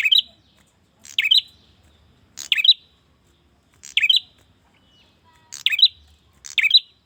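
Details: Male bar-winged prinia calling a female, used to attract birds: six bright, sharp twittering bursts, fairly regular but with one pair close together near the end; a faint thin whistle shows briefly between them.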